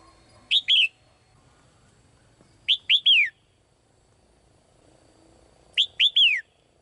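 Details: Caged female bird singing vividly to attract the male: three crisp phrases spaced about two and a half seconds apart, each a rapid run of two to three high, falling whistled chirps, over a quiet background.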